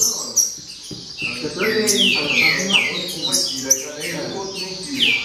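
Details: Green-winged saltator in baderna style, giving sweeping descending whistles at irregular intervals among sharp clicks and a faint murmur of low sounds.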